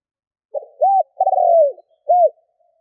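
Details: Spotted dove calling as a lure for wild birds: a soft rising lead note, an arched coo, a long buzzy falling coo, then a final arched note, all low-pitched and close.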